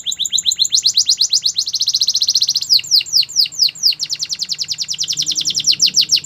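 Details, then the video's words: Canary singing for training other canaries: continuous fast high trills at two pitches, breaking into sweeping downward slurs, then resuming a rapid rolling trill. "The most popular canary training | Play now, your canary will sing a lot"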